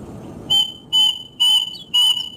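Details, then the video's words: Plaintive cuckoo, associated with death in folklore, repeating four loud, slightly distorted whistled notes at an even pace of about two per second against soft background noise. "suara burung kedasih"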